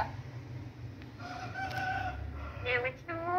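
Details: Pet parrot in a happy mood, talking: a long flat tonal note followed by short wavering whistled syllables with rising harmonics, over a low background rumble.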